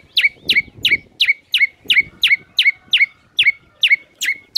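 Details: White-rumped shama (murai batu) used as a morning lure to get birds singing, showing its mimicked repertoire: a steady series of sharp, downslurred whistled notes, roughly three per second, each ending in a short level tone.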